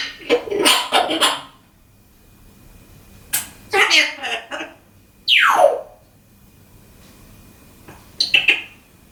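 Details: A male pet African grey parrot talks in short, speech-like bursts, with a sharp downward-sliding whistle near the middle and a brief squeak at the end; he also makes funny sound effects.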